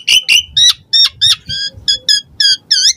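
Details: Asian pied starling song meant to prompt caged birds into singing: about ten harsh, ringing notes delivered at a fast uneven beat over three seconds, some rising, with a faint low hum beneath.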